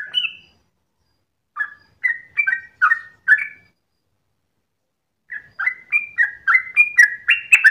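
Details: At dawn a sooty-headed bulbul gives ropel song in bursts: a few whistles, a pause, a cluster of five quick slurred notes, a longer gap, then a fast run of alternating whistles rising in volume.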